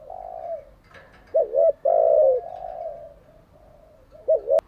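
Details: Decoy spotted dove whose call trains newly caught doves: a soft fading coo, then a wavering double coo and a long, rich coo trailing into quieter notes, ending with another double coo and a sharp click.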